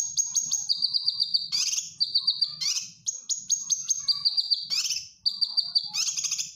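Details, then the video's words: Cucak kinoy bulbul in a cage singing a practice song for training birds: repeated phrases of a long steady high whistle, a lower trilled note and a harsh burst, cycling about every one and a half seconds. "Cucak Kinoy Gacor Masteran"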